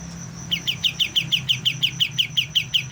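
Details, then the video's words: Young white-eye learning to sing: after a short pause, crisp repeated chirps follow at a quick, steady pace, all alike. A faint high tone and low hum carry on throughout. "BURUNG KAPAS TEMBAK MUDA, mulai belajar bunyi"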